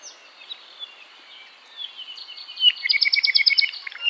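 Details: ʻApapane song, a Hawaiian honeycreeper: soft scattered whistles and faint chips build into a loud, quick trill of paired high notes in the last second and a half.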